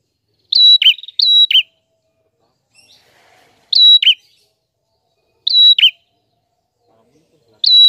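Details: Prinia in clear, lively song, offered as tutor material for training birds: a flat high whistle ends in a dropping buzzy note. The phrase is repeated four times at uneven intervals, with a faint soft rustle in between.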